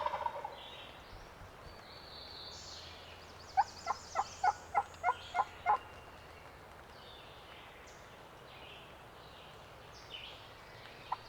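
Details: Turkey on a spring roost hunt in Pennsylvania's public lands: a regular series of about eight short, evenly spaced yelp-like notes mid-clip, with scattered songbirds and a quiet woodland background.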